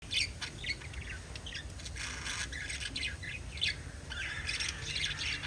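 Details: Pet lovebirds, kissing and chattering, fill the air with dense, shrill, high chirps and squawks, overlapping almost without pause above a steady low hum.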